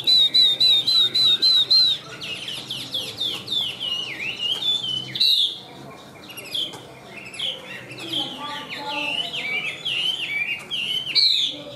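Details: Chinese hwamei with white wings and tail, caged, a high singer: high, thin repeated whistles at first, followed by a dense stream of varied warbling and chirping phrases.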